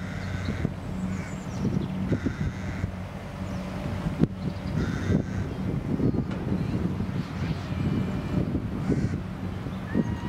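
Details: Rooks at nests with young in a tree in England, just before Easter: harsh, hoarse caws in short bursts at intervals, partly buried under constant low wind rumble and distant traffic-like noise.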